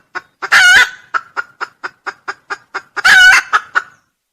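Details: Red junglefowl crowing, used as a lure: two loud, harsh crows about two and a half seconds apart, the gap between them filled with a steady run of short, dry clucking notes.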